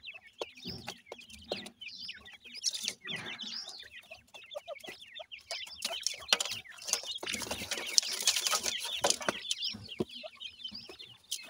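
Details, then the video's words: Pakistani teetar (partridge) young being fed, continuous dense twittering of high peeps, with bursts of clattering and scratchy noise growing stronger toward the end. "partridge birds, pakistani teetar babies feeding"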